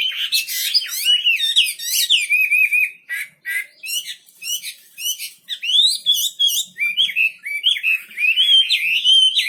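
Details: Wambi bird in lively full song: harsh, buzzy chattering bursts mixed with rolling whistled phrases, then a run of clear, wavering whistles toward the end.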